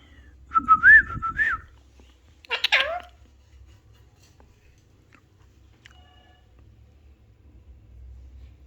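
An Alexandrine parakeet gives a short whistled, word-like phrase, then a harsher rising-and-falling squawk, followed by quiet with faint room hum.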